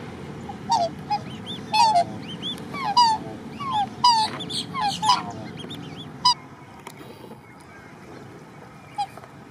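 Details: Australian silver black swan parents protecting three newly hatched, one-day-old cygnets at a lakeside nesting area, Lake Morton, Lakeland, Florida; a busy run of ringing, downward-slurred whistled notes roughly once a second, fading out toward the end amid background hum.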